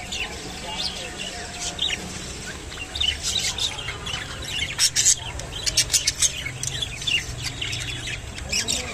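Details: Rainbow budgerigars feeding on kolmi shak (water spinach): a quiet start, then rapid high chirps and sharp clicking notes building in a dense burst from the fourth second onward, over a low steady hum.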